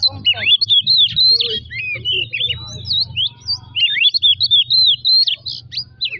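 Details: Oriental magpie-robin singing a lure song meant to provoke rival birds: loud, fast, varied whistles sliding up and down, with short looping phrases repeated in quick succession over a faint low hum.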